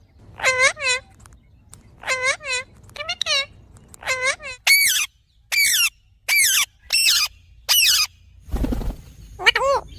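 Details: Rose-ringed parakeet starting with groups of rapid, bouncing nasal notes, then switching to a series of piercing, harsh screeches at roughly half-second intervals, followed by a brief noisy burst.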